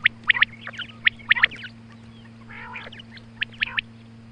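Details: Morning female quail call for hunters: sharp high notes in quick doublets and triplets, a short nasal rasping phrase in the middle, faint steady hum.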